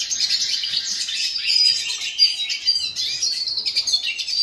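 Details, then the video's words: Black-hooded siskin in steady high-pitched song: an unbroken stream of rapid twittering, squeaky trills and a few sharp whistled notes. "Hooded siskin song - Cabecita negra - Carduelis - Black hooded Siskin Gacor - Spinus Magellanica mix"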